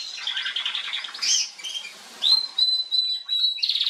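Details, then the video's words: Female Atlantic canary singing on 21 January 2022: a rapid buzzy trill, then sweeping notes and a long, steady, high whistle, closing on a dense buzzy burst. "Kanarengirlitz Canary girl with a very beautiful voice"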